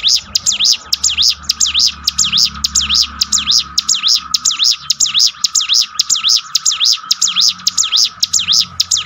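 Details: Bar-winged prinia song used to train and lift the spirit of a downcast bird: fast, evenly spaced high whistled notes, each a steep down-up sweep, about two per second throughout, over a steady faint hum and low rumble.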